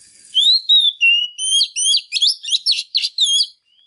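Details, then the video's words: Oriental magpie-robin hen in full, intense song meant to excite males; about a dozen loud whistled notes in quick succession, some rising sweeps, others twisting chirps, ending abruptly in quiet. "Chòe than mái kích trống HÓT CĂNG"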